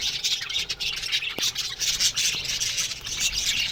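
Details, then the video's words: Aviary budgerigars in the morning, giving loud, dense high chattering and warbling from many birds at once, with a couple of sharp clicks in the background. "Budgies Morning Chirping Sounds"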